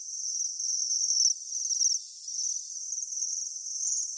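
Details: Japanese waxwings in winter at Saiko, Saitama Prefecture, Japan: thin, very high, sibilant trilled calls in overlapping bursts, some lasting about a second, with short gaps between them and no other clear sounds.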